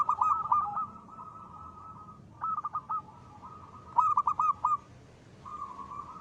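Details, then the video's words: Local perkutut, or zebra dove, in full 'ngristal' song for luring: short trilled phrases of rapid soft notes come roughly every one and a half seconds, separated by a steady droning tone. "perkutut lokal gacor.suara ngristal ampuh buat pancingan."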